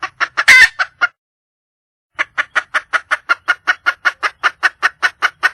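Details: Red junglefowl hen in the wild calling to find a male: a few quick clucks around one raspy squawk, a silent gap, then a long, steady run of about sixteen rhythmic clucks.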